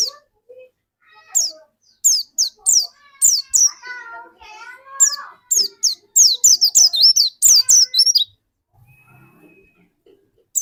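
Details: Pleci dakun white-eye singing strongly, used as a lure to get other white-eyes singing quickly; rapid bursts of high, sharply falling chirps, dense from six to eight seconds, with a brief lower warble in between.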